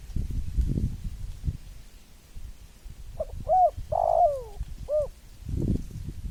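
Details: Spotted dove giving a mellow coo phrase: quick short notes, a drawn-out buzzy falling coo, then one rounded final note, against low wind-like rumble.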